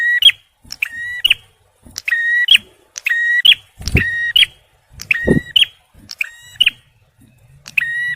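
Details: Male bar-winged prinia repeating rasping two-part notes: a level nasal buzz, then a sharp rising burst. There are roughly nine phrases in eight seconds, with a couple of low thumps in the background. It is intended for luring and prompting stressed birds.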